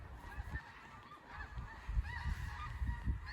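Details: Geese fly overhead above a cypress-and-tupelo headwater swamp at Louisiana Purchase Historic State Park near Brinkley, eastern Arkansas, honking in overlapping nasal calls several times a second over a low wind rumble; goose.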